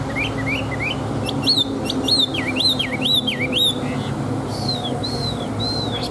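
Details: Old wild-caught Chinese hwamei, a large-bodied caged fighting bird with a fine wild voice, sings loud, rich whistles: rapid rising and swooping looped notes, high buzzy chips, then long clear slurred whistles. Low background hum throughout.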